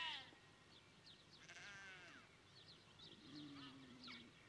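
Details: Adult rosy starling at Lizard Village, Cornwall, giving quick, high scratchy chirps and short clicks in loose bursts, with a harsher nasal note; a sheep-like bleat sounds low in the background.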